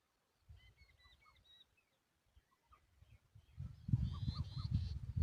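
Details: Woodshrike with its hungry chick at the nest: a quick run of clear, arched whistled notes, about five in a second, then scattered softer notes, and later more high calls over loud low rustling and thumping.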